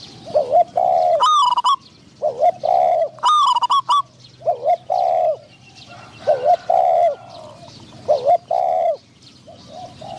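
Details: Spotted dove kept as a decoy bird in Thailand to lure wild doves during trapping, with a wild bird of medium voice answering; rounded low coos repeated in short groups, mixed with sharp, higher, buzzy chirps from other birds.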